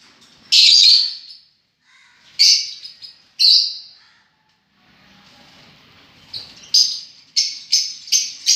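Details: Lovebirds make piercing high squeaky calls: three loud shrieks spaced a second or two apart, a quiet pause, then a fast run of four sharp chirps.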